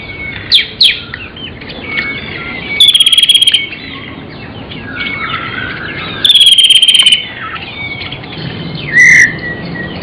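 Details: Magpie-robin (murai) singing actively with filler phrases: a varied string of sharp chirps, short whistles and rapid buzzy rattling bursts near three seconds and six seconds, ending in a clear whistled note, over a faint steady background hiss.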